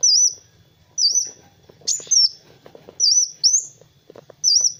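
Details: High, thin, swooping whistles from a kolibri wulung, or Van Hasselt's sunbird, sung as a master for training other birds, given about once a second, with occasional clicks in the background.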